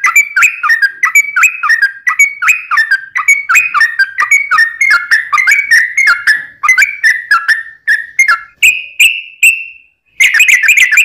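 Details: Sooty-headed bulbul in long, rapid 'ropel' style song, used as a lure to prompt other bulbuls to sing: dense run of bubbly whistled notes repeated several times a second, ending in a steady whistled note, brief pause, then the quick chatter resumes.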